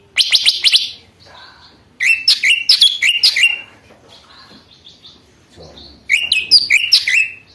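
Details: Mini lesser green leafbird in full song, meant to provoke trainee birds and serve as a tutor recording; three bursts of rapid chattering, buzzy and whistled notes, each about a second long, separated by quiet pauses.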